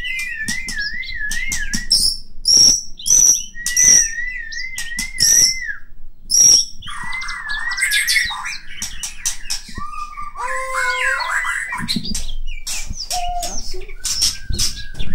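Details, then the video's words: A white-rumped shama from Medan sings a long, varied performance. It opens with repeated wavering whistles paired with crisp high notes, then shifts to rich warbles, harsh rattles and dropping slurs. Loud sharp clicks and knocks occur throughout. "KICAU MURAI BATU MEDAN"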